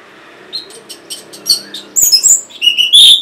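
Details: Orange-headed thrush, recorded as a prompt for caged birds that will not sing: softer scattered chips open the clip, then it swells into loud, piercing, high whistled phrases near the end.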